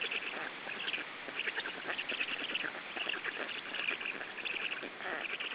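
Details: Feeding of three-week-old Black stork chicks in Estonia, 14 June 2013: a continuous mass of hoarse, squeaky, rasping begging calls, evenly dense with no pauses.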